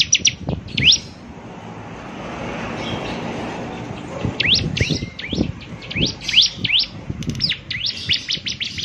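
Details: Bar-winged prinia (ciblek semi) singing actively, a distinctive voice said to make other ciblek semi call along; a brief sharp note, a stretch of rushing background noise, then a run of high sweeping whistles.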